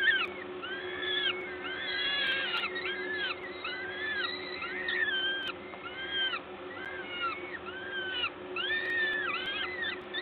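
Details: Feeding at a peregrine falcon nest, Gdańsk LOTOS, Poland, on 14 May 2022 at 11:07: many harmonic, arching squealing calls follow one another quickly and loudly for ten seconds, with a constant background hum.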